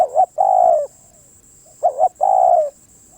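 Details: Spotted dove cooing: two phrases, each a quick doubled coo followed by a long, drawn-out, slightly falling coo. A steady high-pitched whine runs throughout.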